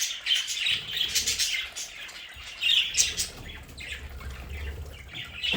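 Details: Budgerigars in a home play area chatter continuously with rapid squawks and sharp chirps, interrupted now and then by low thumps and rustles.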